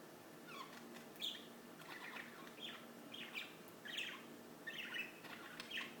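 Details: Birds chirping in short downward-sliding notes about once a second, loosely spaced, with a faint flutter and low hum in the background.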